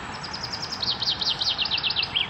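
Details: Chaffinch singing loud and close at the Akulovsky waterworks, Korolyov, in May 2016: a fast, even rattle of high notes gives way to repeated down-slurred phrases and a final sharp flourish, with a quiet low rumble behind.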